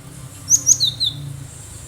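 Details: One phrase from a wild cinereous tit, kept to draw in other birds: two sharp high whistles followed by two lower, drawn-out slurred notes, with faint hum beneath.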